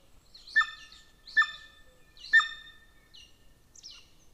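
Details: Golden eagle nest in Estonia by a military training ground, May 2024; three strong harmonic yelps about a second apart, then two softer, higher notes fading out.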